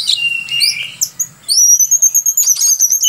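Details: A vigorously singing Oriental magpie-robin, used as a tutor bird for song training, gives loud clear whistles: a long steady note, then a high drawn-out whistle over a run of quick, sharp chirps.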